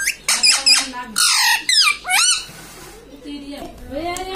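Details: Pet ringneck parrot indoors in a small room, talking and saying "mummy papa": several short, harmonic speech-like phrases with abrupt pitch swoops, mixed with sharp squawks, then fading into quieter mumbling toward the end.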